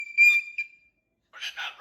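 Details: Pet cockatoo mimicking an electronic beep: a steady, pure whistled tone held for about half a second, then a pause and a harsh, raspy burst like a spoken hello.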